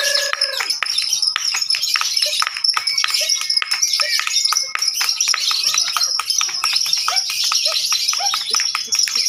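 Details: Contest lovebirds pouring out shrill, fast, continuous chattering. Loud human voices, a long flat whistle, and crowd noise are mixed in.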